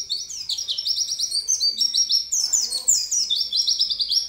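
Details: Continuous high-pitched warbling from a pleci, or oriental white-eye, singing gacor: tightly strung falling and rising slurs without a break, some notes doubled, a faint low rustle behind.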